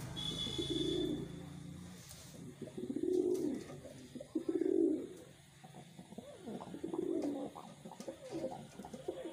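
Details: Wild pigeons kept in captivity, giving low cooing phrases around one second long, four in the clip, separated by short pauses; a soft rustle and faint background hum are also heard.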